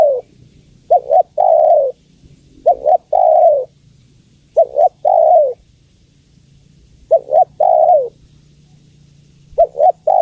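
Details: Calling female spotted dove summoning the male; the double-hoot-and-long-coo phrase comes four times over ten seconds at uneven intervals, each coo slurring downward, with a steady soft hum beneath.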